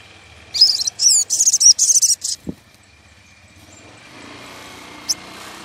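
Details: Wild woodpecker, excited and calling for a rival, used as a lure: a burst of rapid, high, sharp chattering notes over about two seconds, then quiet with a faint steady hum and a single later click.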